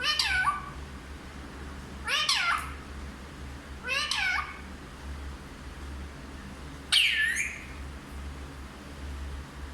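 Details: Talking parrot that speaks Hindi gives four drawn-out, descending, whiny syllables roughly two seconds apart, the last one loudest, over a low hum.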